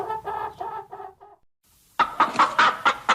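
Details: Chickens or hens clucking: a short series of harmonic clucks, a brief silence, then a louder burst of rapid, evenly spaced clucks at a bright mid pitch.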